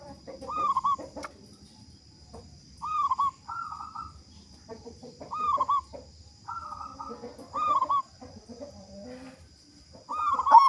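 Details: Local zebra dove, a keen, loud singer used to spur other doves into song: a run of repeated rolling coos, several overlapping at slightly different pitches, suggesting more than one dove calling, with a thin steady high hum behind.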